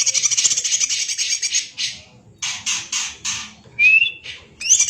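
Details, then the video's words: Greater green leafbird (cucak ijo) in lively kacer-like song for training: a long harsh rattling burst, then a series of short rasping chatters and a clear upward-slurred whistle. "Burung Cucak Ijo Gacor Suara rapet - cucak hijau Gacor rasa kacer |Masteran CUCAK IJO Juara"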